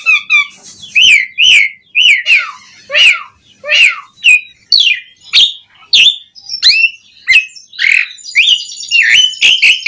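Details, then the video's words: Energetic varied song of an Asian pied starling: a steady stream of loud, sharply downslurred whistles and chirps, roughly two per second, with a few harsher bursts between them. Nothing else is heard. "Suara Jalak Suren Gacor Auto Bongkar Isian Variasi"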